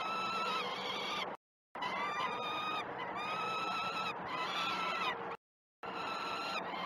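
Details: Peregrine falcon nestlings on a live nest cam at Great Spirit Bluff, 12 June 2018, during the first feedings of the day. Continuous raspy, nasal screaming with strong overtones rises and falls in long overlapping wails, broken by two short silences.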